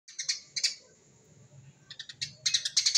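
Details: Eurasian tree sparrow singing in the dense rapid 'tembakan rapet' style, used to lure wild sparrows: bursts of sharp high chirps, a pause of soft background rumble, then a quick run of clustered chirps.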